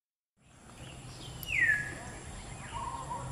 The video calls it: Violet Cuckoo